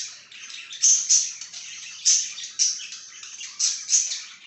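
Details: Budgerigar kept as a pet, recorded 26 July 2023: a lively run of scratchy, high chirps, roughly six loud notes in four and a half seconds, mixed with softer continuous twittering.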